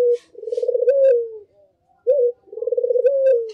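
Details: Dove lure call used to attract all kinds of doves: low, rolling coos, each a pulsed phrase that swells, rises slightly, then falls away, heard twice with a short sharp note between, in a quiet indoor setting.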